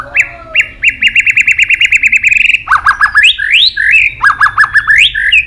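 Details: White-rumped shama singing a fighting song with tail-snapping: about a dozen quick identical whistled notes in an even series, then lower chipping notes mixed with upward-swooping whistles.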